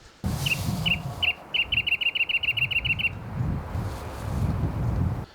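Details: Wrentit, a shy, secretive bird that stays under cover, in chamise-redshank chaparral at about 5,000 ft on Mount San Jacinto along the Pacific Crest Trail: a bouncing ping-pong-ball song of a few spaced high notes quickening into a rapid run, over low wind or trail noise.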